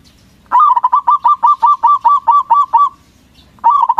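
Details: Loud local zebra dove lure song aimed at making rival doves answer at once: a long phrase of about twelve rapid, rolling coos, starting with an upswept note, then a new phrase beginning.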